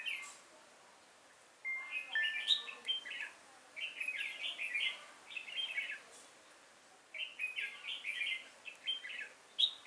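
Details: Red-whiskered bulbul serving as a decoy in a trap, singing energetically on 5 October 2018 to lure wild bulbuls; two long runs of rapid, bubbly warbled notes broken by a short silence, with a thin whistled note early on.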